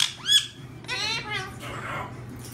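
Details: One of a pair of pet talking parakeets gives a quick high squawk, then a run of harsh, chattering speech-like syllables, with a low hum in the room behind.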